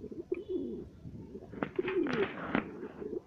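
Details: Home-bred fancy satinette pigeon pair: soft low cooing notes repeated through the recording, with bursts of broadband rustling and clattering in the middle, indoors.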